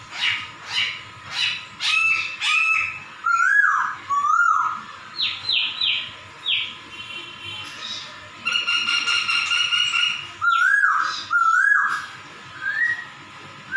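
A laughingthrush sings a varied song, working in slurred, cat-like mewing notes among rich whistles and chatter.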